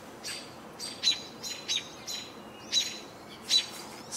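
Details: American Robins heard on 28 June 2018: short, bright, chirpy notes with clear whistled accents, spaced irregularly about every half second to a second, over a soft, steady background hiss.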